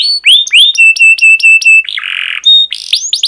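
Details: Canary song for training young canaries: upslurred whistles, a row of about six steady repeated notes, a harsh buzzy burst, then quick rising chirps.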